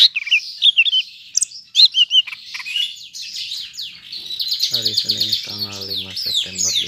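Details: Greater green leafbird, Medan type, Bandung, 5 September: twisting whistled phrases and high chatter, later overlaid by a harsher, lower buzzing sound beneath continuing high notes.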